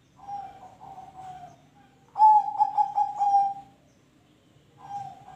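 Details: Zebra dove singing to encourage other birds to sing: a soft, level coo, then a louder phrase of rapid pulsing notes on one steady tone, and another quieter coo at the end.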